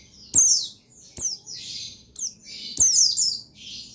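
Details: Pleci buxtoni white-eye, male; piercing high downslurred chirps in quick succession, interleaved with softer buzzy, hissing notes, forming a busy, uneven twittering sequence.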